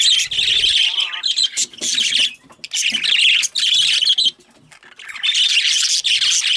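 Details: Bursts of excited budgerigar chatter, with high chirps and warbles in dense clusters broken by quieter gaps around the middle, and some softer background sounds in between.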